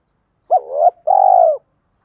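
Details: Captive spotted dove lure call meant to provoke males: a brief rising coo sliding into a drawn-out note, then a longer, even, breathy coo, in clean silence.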